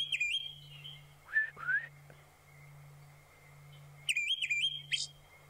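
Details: Olive thrush call played for comparison with the similar-looking Kurrichane thrush, described as a very common call in the bush: clear whistled phrases, high and wavering with quick up-and-down inflections, in short bursts, over a steady low hum.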